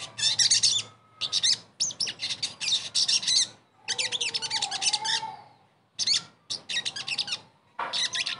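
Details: Sogon singing in a recording meant to make a bird that has stopped singing start again: choppy runs of bright, rapid chattering notes separated by brief gaps, plus a few lower gliding whistles.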